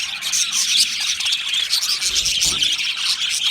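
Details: Happy singing and chirping from a colony of Australian budgerigars in an aviary: bright, high warbling tweets with a few whistled notes over a thick chorus of chatter.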